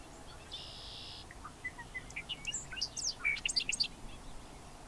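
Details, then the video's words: Bobolink song: a short buzz, a few flat introductory notes, then a rapid bubbling cascade of bright, jumbled metallic notes that speeds up and climbs higher. "Bobolink calls and songs"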